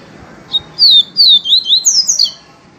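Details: Yellow-bellied seedeater in the sung style known as viviti, giving a quick series of high, clear slurred notes that step upward in pitch, over a steady low hum of background noise.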